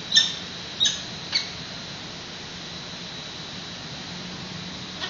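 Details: Nest exchange between a San Francisco peregrine falcon pair, 28 May 2017, recorded by a live webcam: a few brief sharp calls early on, then mostly hiss and a steady low hum.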